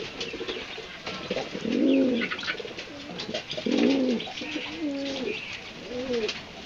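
A pigeon gives low, throaty rolling coos, each lasting about a second, repeated every couple of seconds.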